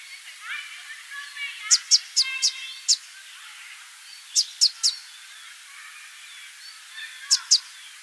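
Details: Immature male southern double-collared sunbird gives sharp, high ticking calls in quick bursts of two to five, over faint twittering from other small birds.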